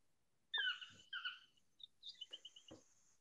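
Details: In the morning at Arenal Observatory Lodge, Costa Rica, on 23 June 2021, a Yellow-throated Toucan calls very loudly: two ringing yelps in quick succession, then a run of shorter, higher notes with a few sharp clicks.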